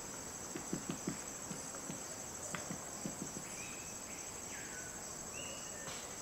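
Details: A Red-necked Woodpecker in the rainforest at Sadiri Lodge, Madidi NP, Bolivia, gives its distinctive double-knock song: dull, hollow knocks in irregular pairs and short bursts, over a steady high insect drone with faint whistles from other birds.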